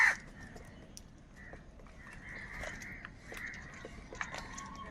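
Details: A large flock of crows, said to be fighting for food, caws and cries continuously. Overlapping harsh, nasal calls form a steady chorus, with a louder burst at the start and denser calling toward the end over a low background rumble.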